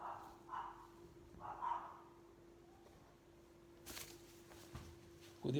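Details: A young blue-eyed white umbrella cockatoo, recorded in 2020 soon after adoption with damaged wings, gives two drawn-out, meow-like wails, copying the sound of a cat.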